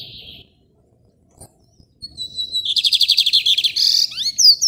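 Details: Caged lined seedeater (bigodinho rajadinho) singing from a hand-held cage in Maranhão, Brazil: a brief buzzy note, then a fast run of bright repeated chirps and trills ending in sweeping whistled slurs.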